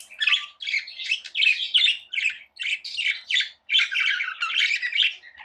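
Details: Tame budgies indoors giving lively chirping: harsh, buzzy warbles broken into quick bursts of about half a second, separated by tiny gaps, with a rapid and uneven rhythm throughout.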